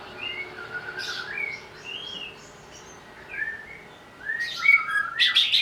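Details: Greater green leafbird provoked to sing while agitated: varied slurred whistles and short chirps, ending in loud, rapid harsh bursts.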